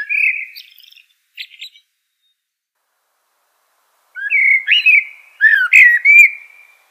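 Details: A common blackbird gives a short mellow whistle and a few high squeaks, then after a long pause a longer phrase of looping fluted notes followed by quick high twittering.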